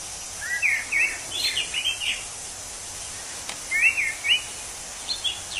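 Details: Wild orange-headed thrush song: short slurred whistled notes in quick clusters, rising and falling, a second burst after a pause, over constant background hiss.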